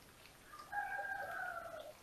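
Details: Ringed female little owl visiting its nest in a house attic at Tiszalök, Hungary, near Hortobágy National Park, early morning, 6:37 AM, 28 November 2021, nest camera; one drawn-out, mewing tone lasting about a second, gently falling, over faint hiss.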